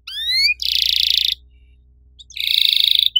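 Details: Canary singing in the active 'riwik' style: a few rising whistled notes, then two harsh buzzing rolls about a second apart, with a low steady hum in the background.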